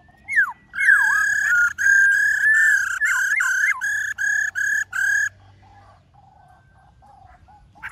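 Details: Varied forest-style song from a black-throated laughingthrush: dipping slurred whistles open into a rapid, even string of rich ringing notes. The series then stops, leaving near silence.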